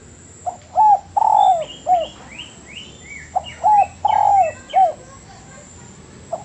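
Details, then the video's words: Master training recording of a spotted dove: two phrases of quick coos, a drawn-out falling croo and an end coo, plus a last faint coo. Another bird's descending whistled notes overlap throughout. "MASTERAN DERUK"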